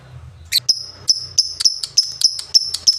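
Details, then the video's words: Lovebird in 'ngetik' style: sharp, high ticking notes repeated about once a second with a faint low hum beneath. "LOVEBIRD NGETIK NGOEK LANJUT NGEKEK"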